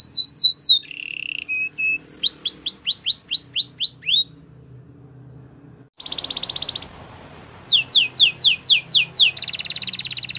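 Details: Canary song in varied tours: fast descending whistled sweeps, a short low buzzy roll, rising slurred notes repeated, then a dense rattle and another run of falling sweeps after a near-silent pause.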